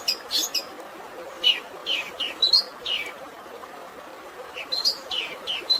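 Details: Long-tailed shrike with a fighting-sparrow fill, giving scattered high descending chirps in short groups with pauses between, while natural water noise hisses steadily underneath.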